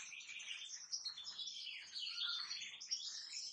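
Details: A kept European goldfinch pours out a rapid, twittering song of high liquid chirps, short nasal buzzes and tinkling trills, continuous throughout.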